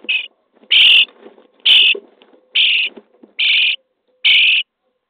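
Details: Day 23 in a starling nest box, chicks being fed: six harsh, hissing begging rasps about a second apart, with soft scuffling and rustling between calls.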